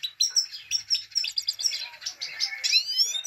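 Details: Female Himalayan goldfinch giving the 'pit pit tak' call meant to excite males: dense, bright twittering chirps packed high in pitch, fast and continuous for about three seconds.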